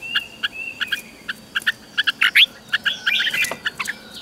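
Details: Red-whiskered bulbul song from a caged competition bird, used for training. Short chirps and clipped whistles come in an uneven stream over steady background hiss, with a brighter trilled flourish in the middle.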